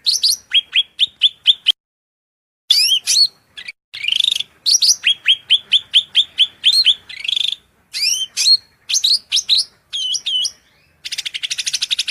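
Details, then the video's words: Cucak rante in full, constant song with shrill, piercing notes, given as a masteran training recording: rapid bursts of high downslurred whistles and chips, pausing briefly, then a dense buzzy rattle at the end. "MASTERAN SUARA MELENGKING CUCAK RANTE GACOR FULL isian"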